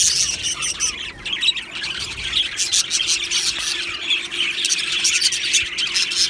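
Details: Aviary colony of happy Australian budgies, chirping and chattering continuously; overlapping scratchy warbles and squeaky calls swell and fade in uneven bursts.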